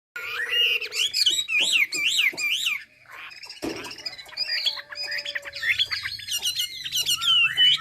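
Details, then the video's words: Chinese hwamei from Hà Giang singing loudly: a run of rapid, sharply upswept whistled notes, then a sudden sharp knock, then varied ringing whistles and slurred phrases with a faint low hum beneath. "Mi đẹp Hà Giang. #713 bộ đẹp hót hay cực víp tiếng hót thiên nhiên, luyện cho chim hót hay."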